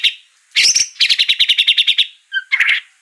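White-rumped shama song: a harsh burst, then a fast run of about a dozen sharp, even chattering notes, ending in a few bright whistles and a buzzy phrase.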